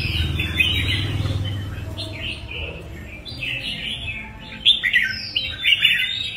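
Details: Red-whiskered bulbul (Pycnonotus jocosus) kept as a songbird, singing bright, chattering, warbled mid-to-high phrases about one per second over a low rumbling background.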